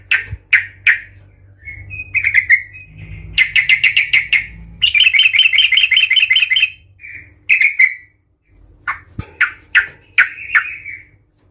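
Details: Sooty-headed bulbul in aggressive fighting song for provoking other bulbuls: spaced bright chirps, a dense fast chattering trill of nearly two seconds, then more scattered chirps, with brief low rumbling.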